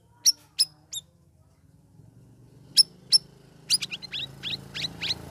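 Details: Caged sooty-headed bulbul after three weeks of group-aviary care, singing in the chattering, loud open style called ngeriwik ngeplong: three sharp high chirps, a pause, then a quick run of short whistled notes, with faint low hum behind.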